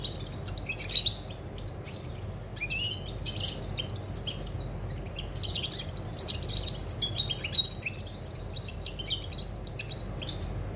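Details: Song of a European goldfinch, 20 August 2020, delivered as bursts of liquid twittering with thin whistled notes and quick slurred chirps in short phrases, some louder peaks, above a faint low hum.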